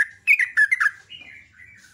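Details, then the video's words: Sooty-headed bulbul, local name trucuk, singing in the morning: a loud quick phrase of clear falling chirps followed by softer, lower trailing notes. "SUPER GACOR JOGJOG /TRUCUK ROPEL NGECRUK"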